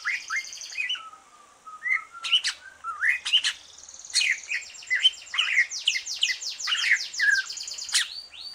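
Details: Captive green leafbird after its moult, sung to spur other birds: a flat held whistle, then bursts of chirps, sharp rising and falling slurs and fast buzzy trills, all high-pitched and continuous.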